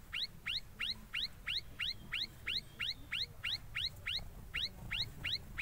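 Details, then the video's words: Ashy tailorbird chirping while making its nest: a rapid, steady series of sharp rising upslurred chirps, about three per second, each with a lower echoing trace, over faint low background rumble. "Ashy Tailor Bird's Chirping and Making Nest."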